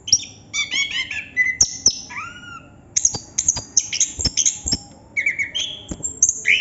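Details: Chestnut-capped thrush in ngerol song, mixing fast stuttering chips, thin high whistles and a few lower slurred notes, delivered as an almost unbroken stream of short phrases.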